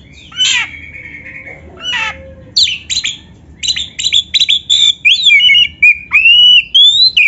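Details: Oriental magpie-robin song used as a training recording for beginner, lazy or quiet caged birds: harsh rasping notes, then a run of short sharp chips and clear rising and falling whistles, fairly continuous.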